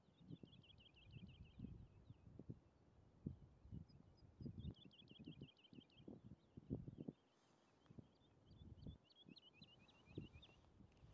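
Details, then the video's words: A Woodlark sings in the Netherlands in early morning, giving three phrases of soft, fluty notes repeated rapidly in a rolling 'lu-lu-lu' series, each lasting about two seconds, over low wind rumble and bumps. "En ook in deze video kon ik het niet helpen maar een zingende Boomleeuwerik filmen."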